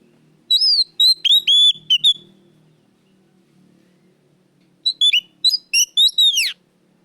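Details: Oriental magpie-robin singing loud lure song for caged birds: two bursts of varied whistles and clicks, the second ending in a long steep downward-sweeping note, with faint low murmur between phrases.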